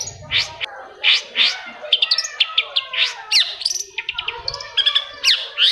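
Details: Long-tailed shrike singing, played to trigger sluggish shrikes into song: rapid varied phrase of sharp chirps, harsh rasping notes and short whistles, fairly clean with brief low rumble at start and near the end.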